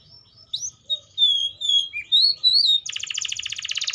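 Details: Atlantic canary with varied whistled phrases: slurred notes rising and falling, then a rapid pulsed buzzing trill to the end.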